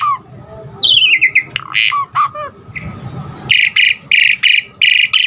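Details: Asian pied starling singing vigorously with varied filler phrases, used as a lure and training recording for caged birds; slurred descending whistles, then harsh squawks and a run of loud buzzy notes repeated about every third of a second, with a steady low hum.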